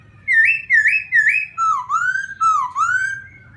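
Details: A laughingthrush sings to provoke a rival. Three bright rising whistles come in quick succession, followed by two longer, lower, upward-slurred whistles. A faint low hum sits underneath.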